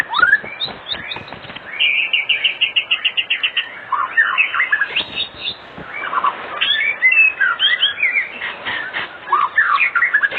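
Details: Energetic white-rumped shama song played as an afternoon lure for other shamas: a fast series of clipped, repeated notes followed by jumbled sweeping whistles and chirps in dense, varied phrases.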